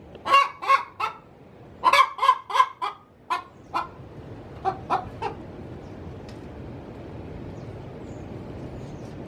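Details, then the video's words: Pre-laying hen cackling inside her coop, a sound used to call male junglefowl; a burst of strong clucks over the first few seconds that grows fainter and thins out, leaving quiet background hiss. "Suara asli ayam betina cocok untuk digunakan memanggil ayam hutan"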